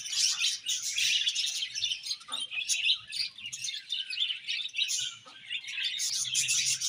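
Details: Continuous budgie chatter: a steady, unbroken flow of high, scratchy warbled chirps, loud throughout.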